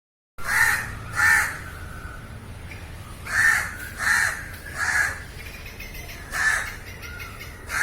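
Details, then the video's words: Crow cawing in a field recording: loud harsh caws, seven across the stretch, in uneven pairs and runs with short gaps, over a faint low background hum. "烏鴉叫聲 烏鴉呱呱叫👂烏鴉聲音效 現場錄音👍Crow Calling"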